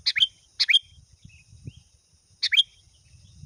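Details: Sooty-headed bulbul calling a rival, paired bright chirping notes given twice in quick succession, a pause, then one more pair, over soft low background noise.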